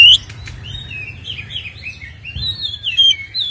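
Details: White-rumped shama song used as a lure to provoke captive birds; soft warbling whistled phrases wavering up and down, quieter than the rest, with a faint low hum behind.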